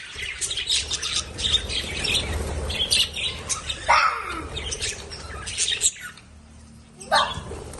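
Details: Lovebirds chirping in quick, shrill bursts with squeaky calls; the chatter drops out for about a second near the end before one more sharp call.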